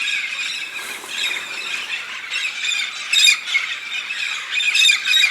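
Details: Red-spectacled parrots, a great migrating flock in the Santa Catarina mountains of southern Brazil gathered for pinhão, raising a constant clamor of harsh, grating squawks, with louder close calls breaking through in the second half.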